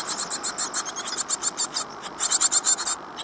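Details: Great tit nestlings inside a birdbox at Falmouth, UK, fifteen days old, April 2011: a steady series of very high, thin pulsed squeaks repeating about four times per second, briefly pausing midway, over faint background hiss.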